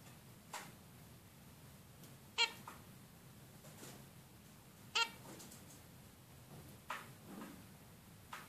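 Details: A female zebra finch repeats short nasal calls, the two clearest spaced about two and a half seconds apart, with fainter calls scattered between and a soft constant hiss behind.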